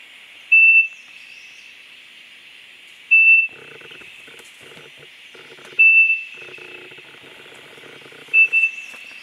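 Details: A female Siberian thrush foraging at Dalat, Vietnam, later chased off by an orange-headed thrush, gives four thin, high, level whistled notes, one every two to three seconds, over a steady insect-like hiss and soft rustling.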